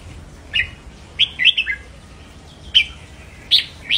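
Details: Red-whiskered bulbul singing to stimulate caged birds: scattered single and paired whistled chirps, somewhat sparse and softer, with brief silences between notes.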